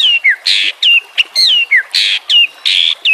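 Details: Murai batu, or white-rumped shama, in a masteran recording for training lazy singers: downward-sliding whistles interleaved with rasping buzzy blocks and brief clicks, a brisk loud back-and-forth pattern.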